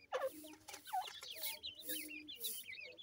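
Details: Little grey francolin (teetar) chicks feeding, giving thin, high, wavering peeps that rise and fall. Calls overlap in quick succession, with a few lower notes and soft background rustling.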